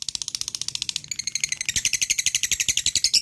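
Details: Lovebird in full ngekek, the trilled chatter meant to stir idle lovebirds to sing: steady machine-gun pulses of shrill notes that grow louder and buzzier after the first second.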